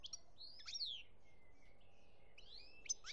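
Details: European goldfinch in Algeria, 2017, giving sliding whistled notes and quick, liquid twitters spaced through the phrase, with one sharp high note near the end.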